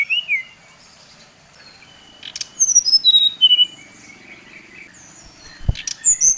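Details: A brown-chested jungle flycatcher of the Bali type sings a provoking lure: short rising-falling whistle, a quiet gap, then a cascade of clear notes stepping downward, with a faint insect hum and a soft knock.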